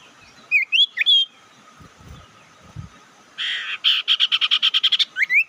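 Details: Whistled notes and a bright upslur lead into a rapid, harsh rattling trill of a dozen pulses, closing on a rising whistle. The recording is a bird lure call meant to provoke rivals, with steady hum beneath.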